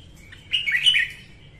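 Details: Female red-whiskered bulbul singing in the morning, used to train captive bulbuls and to lure birds to traps: one short, bright warbled phrase of quick rising and falling notes, otherwise quiet.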